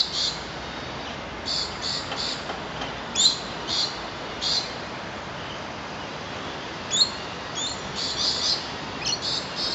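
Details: A foraging flock of at least ten rainbow lorikeets at Bishan Park: short, shrill, grating squawks repeat irregularly, often two or three close together, over a faint steady hiss.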